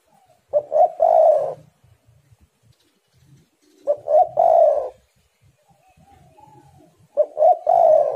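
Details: Eagerly singing spotted dove, recorded as a lure to draw other doves into song. Three low, mellow phrases arrive roughly every three seconds, each a pair of short coos swelling into a longer, slightly falling croon. Faint scuffing sounds sit underneath.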